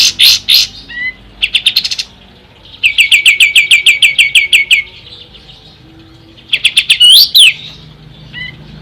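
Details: Ashy tailorbird: loud high bursts and short chip runs, then a long steady series of sharp repeated notes, followed by another chip burst and a rising-falling slur.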